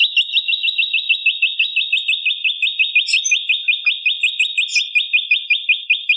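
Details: Bar-winged prinia song for tutoring other songbirds: a long, fast, even trill of rapid repeated high chirps held steadily for over six seconds, with a few faint high ticks in the background.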